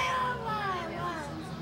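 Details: A small female parrot indoors sings the tune Zip-a-Dee-Doo-Dah in a human-like voice, with a wavering, melodic line of gliding pitched tones holding the words of the song.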